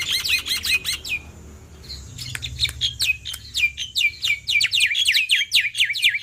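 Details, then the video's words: Loud male black-winged myna song for prompting lazy mynas to sing: a fast burst of harsh downslurred notes, short lull, then a long run of rapid repeated chattering, falling squeaks and clicks, very high-pitched throughout. "Masteran Semua Jenis Burung Jalak - Jalak Putih Super Gacor Full Isian Mental Baja Suara Keras"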